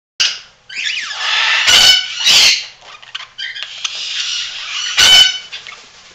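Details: About 20 parakeets at an adoption shelter in Creston, Illinois chatter indoors in a busy, buzzy warble with scratchy, squeaky notes, broken by three sharp, harsh squawks.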